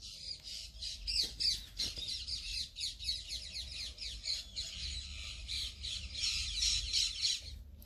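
Parakeets chattering nonstop, a rapid run of raspy, scratchy high notes and squawks, several a second for the whole stretch.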